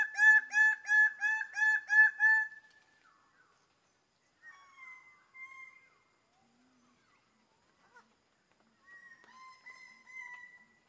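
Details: Greater bird-of-paradise calling: a loud burst of about seven harsh, ringing, harmonic notes in quick succession, then quieter drawn-out nasal calls after pauses, in an otherwise quiet setting.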